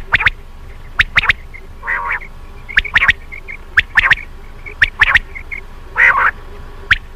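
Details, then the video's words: A common quail repeats crisp, clipped three-note phrases about once a second, mixed with a few broader rasping bursts and faint background hum. "beautiful common quail sound"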